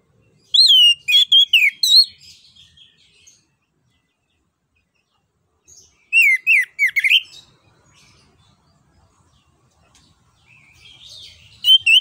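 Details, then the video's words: Lure song of an orange-headed thrush, played to coax a silent bird into song: bursts of rich, warbling whistles with quick slurred notes, separated by pauses of a few seconds, then a softer phrase at the end. "PANCINGAN JITU ANIS KEMBANG GACOR NGEROL NGEPLONG"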